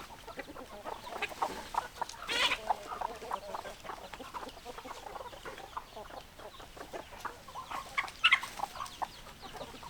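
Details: Hens clucking as a busy flock, with many overlapping short, throaty clucks and squawks in a constant chatter and a few louder sharp calls standing out.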